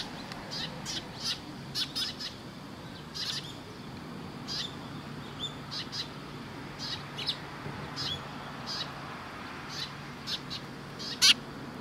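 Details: Sparrows gathering at food at a Tenmangū shrine on 10 October 2017, giving short sharp chirps, scattered singly and in quick pairs throughout, one louder chirp near the end, over a soft background hum.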